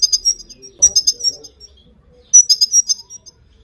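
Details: Female Himalayan goldfinch calls, used to stimulate and train males to sing: three short bursts of high, liquid twittering and tinkling notes, with a faint low murmur between them.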